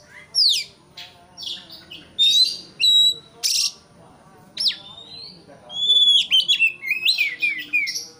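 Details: White-rumped shama song to provoke a rival: loud sweeping whistles and sharp notes in separated bursts, ending with a longer run of clear descending whistles and trills.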